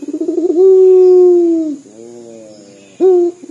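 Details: Local puter dove in lively dor voice, said to sound like crying: the tail of a pulsing roll leads into a long sustained coo, then a quieter hum and a fresh sharp note with rolling pulses. A faint high whine persists.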